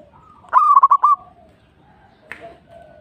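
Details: A single crisp phrase from a local zebra dove: four or five clipped, rolling coo notes delivered in under a second, followed by quiet with a faint distant call.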